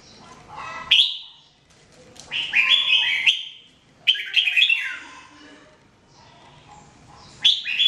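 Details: Red-whiskered bulbul singing everyday for training, 2017: sharp clear whistles opening each of three lively, tumbling phrases of sweet warbled notes, with short quiet gaps.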